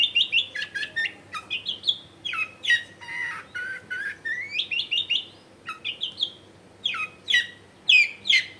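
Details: Long-tailed shrike mixing harsh squawks with whistles, recorded at home in a crowded area to get silent shrikes singing; scratchy, chattering phrases interspersed with rising slurred whistles and loud sharp notes over about eight seconds.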